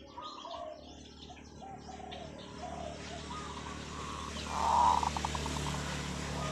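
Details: Zebra dove decoy delivering a long call, its cooing burst with trailing pulses heard late, partly masked by steady broadband hiss and low hum, with faint chirps from other birds earlier.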